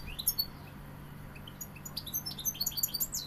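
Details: European goldfinch from Seville giving a few scattered thin high chirps, then a quickening burst of tinkling twittered notes in the last second and a half, with a faint low hum.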